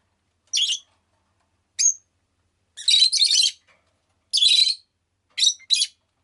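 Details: Pet rosy-faced lovebird chirping: five separate bursts of harsh, buzzy, high-pitched chirps spaced irregularly over six seconds, the middle ones longer and scratchy, the last a quick double note.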